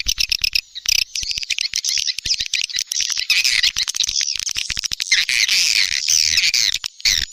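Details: Rainy-season swiftlet lure call: a busy, high-pitched chatter of overlapping chirps and rasping twitters, with quick clicking ticks scattered throughout.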